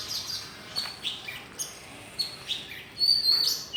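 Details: Birds chirping brightly to greet the morning, with spaced high tweets, short whistled slurs and a louder burst of twittering near the close.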